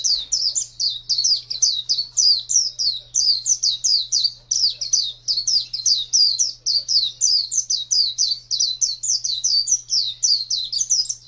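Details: A pet white-eye, called pleci, with a champion voice, 2017: long, lively chatter of very high, quickly repeated sliding chirps without pause, steady faint hum below.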